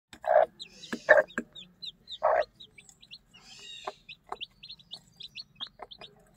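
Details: Mother hen with one-day-old newly hatched chicks during feeding: a few loud, low clucks from the hen, then a stream of thin, high chick peeps, short downslurred notes repeated rapidly over a faint low hum.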